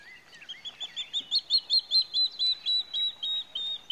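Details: Pied Kingfisher in Kruger Park, South Africa: a fast run of shrill, squeaky chirps, steady and evenly spaced, growing louder then holding over four seconds.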